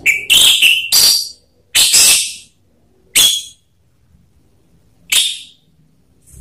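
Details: Orange-headed thrush song from a lure recording for prompting birds to sing: several loud, harsh, emphatic whistled bursts with scratchy overtones, spaced unevenly about a second apart, then shorter isolated notes.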